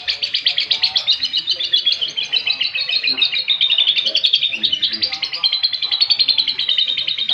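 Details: Canary singing with lovebird-like phrases it has learned, giving a continuous high, fast trill of sharp repeated chirps that pulses steadily without a break.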